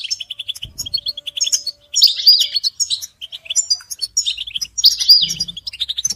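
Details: European goldfinches singing together in a chorus meant to motivate caged males to sing; rapid ticking twitters build into loud buzzy swirling phrases around two and five seconds, with a faint steady tone in the background.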